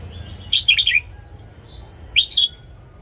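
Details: Red-whiskered bulbul singing its morning song, recorded to coach caged birds: a lively phrase of four quick warbling notes falling slightly in pitch, then after a gap a shorter two-note twitter.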